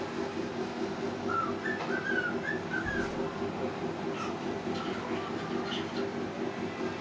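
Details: Caged male pet cockatiel practicing learned whistles and words indoors; short clear whistled notes, some sliding up or down, scattered over several seconds, soft and fairly faint, over a constant low household hum.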